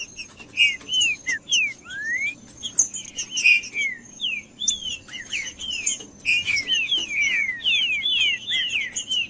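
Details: Green-winged saltator song for provoking males: many short slurred whistles delivered rapidly and fairly evenly over nine seconds, the later phrases quicker and more crowded, with sharp high chips mixed in.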